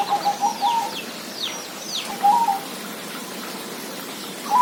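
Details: Zebra dove cooing in brief staccato phrases, interrupted by sweeping whistled notes from other birds and a steady background hiss.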